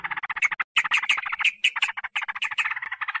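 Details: Lure recording of sooty-headed bulbul intended to stir up wild birds: continuous rapid, harsh chattering with frequent loud, shrill accents and only a brief break near the start.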